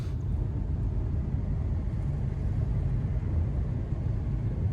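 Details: Deep, continuous engine rumble from a vehicle at a boggy forest birding site in early fall, with no animal sounds.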